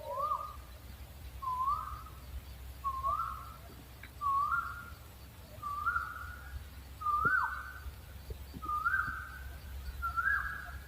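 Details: Owl repeating eight short whistled upslurred notes at a steady pace of roughly one every 1.3 seconds, with a steady low hum in the background.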